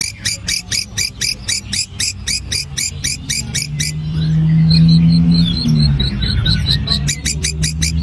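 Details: Long-tailed shrike singing a long, full song imitating a grasshopper: sharp broadband ticking pulses repeated about twice per second, broken midway by thin high twittering before the rapid ticks resume, over a steady low hum.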